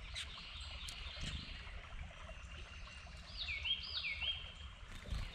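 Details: A territorial red-bellied woodpecker gives two rolling, mid-pitched kwirr calls in quick succession over a steady trickle of water and low background rumble.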